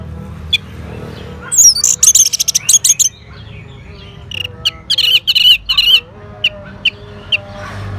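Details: Orange-headed thrush calling back at a lure recording: sudden rapid trills of high, sharp notes, then varied chattering whistles and a few spaced single notes, with faint low hum beneath.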